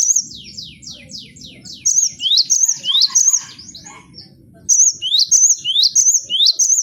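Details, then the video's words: Gelatik batu, or cinereous tit, in 'bongkar isian' training song for kept birds. Quick falling notes open the clip, then sharp rising sweeps end in ringing trills, pause briefly and resume at a steady pace over faint background rumble. "MASTERAN GELATIK BATU BONGKAR ISIAN vol.01"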